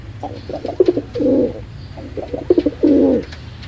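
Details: Pigeon giving two cooing phrases, each a few short stuttering notes leading into a longer, rolling low coo, over a soft background hum.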